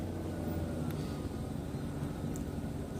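Continuous low engine rumble, like a vehicle or aircraft droning nearby, with faint scattered clicks; no animal sound is heard.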